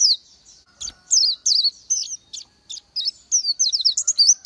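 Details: Oriental white-eye giving high, thin, scattered twittering whistles, starting sparse and irregular, then quickening into a denser run near the end; a faint tap is heard early on.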